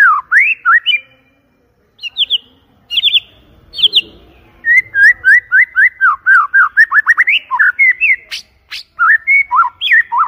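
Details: White-rumped shama singing loud and clear as a lure: a few slurred whistles, short high twittering bursts, then a long rapid run of repeated looping whistled notes.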